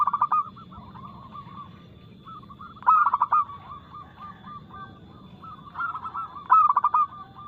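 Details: Lure song of a local zebra dove (perkutut), fast-paced and loud with a clear crystal tone. Pulsed coo bursts recur roughly every three seconds, with lighter rippling notes in between and a faint low hum underneath.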